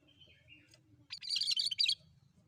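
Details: Cream-striped bulbul in full, lively song, used as a lure sound for birds: a faint whistled phrase first, then a loud burst of dense, chattering, warbled notes lasting about a second.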